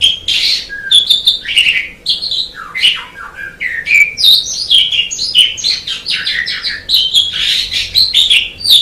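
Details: Black-winged starling song: a rapid, varied stream of sharp whistles, chattering notes and rising and falling squeaky phrases, delivered almost without pause.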